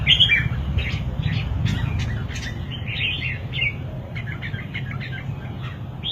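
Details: Red-whiskered bulbul song: quick chirpy, warbling notes delivered in a busy, run-on stream, loudest at the start, against constant low-pitched background noise.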